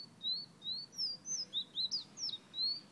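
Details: Fire red Guyana bird giving a rapid run of high whistled notes, some rising and some dipping, tumbling one into the next for three seconds against a quiet background.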